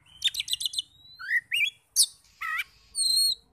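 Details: Oriental magpie-robin song played as a lure to rouse other magpie-robins into answering in full voice: a fast trill of five high notes, then rising whistled slurs, a sharp chip, a buzzy burst and a clear high whistle.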